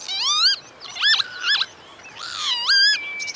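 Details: Northern lapwing giving wheezy, slurred calls: a rising-then-falling whistle, a quick up-and-down pair, then a long drawn-out rising note, each rich in harmonics, with faint hiss between.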